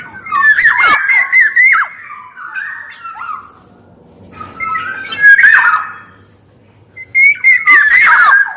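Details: Black-naped oriole song with loud, rough squawks and rich fluty whistles in three bursts, separated by softer warbling and a short silence.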